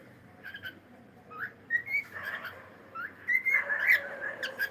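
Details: Pet cockatiel singing: a string of short whistled notes and rising slurred phrases, with chattering bursts toward the end, over a faint background hum.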